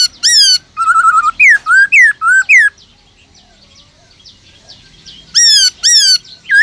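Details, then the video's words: Black-throated laughingthrush kept in a cage, singing a forest-style song to spur other birds: loud rising-falling whistled phrases and a short trill, a pause of nearly three seconds, then more bright harmonic notes. "Khướu bạc má kích trống căng lửa HÓT GIỌNG RỪNG kích khướu nhà hót sung nhanh nổi"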